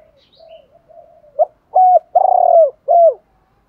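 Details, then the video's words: Spotted dove decoy calling, used to lure and train other doves; recording said to include both male and female doves. Soft, low quiet coos build into three loud, deep, slightly falling coos, the long middle one with a throbbing texture. "tieng chim cu moi thuc gay goi cu moi gay"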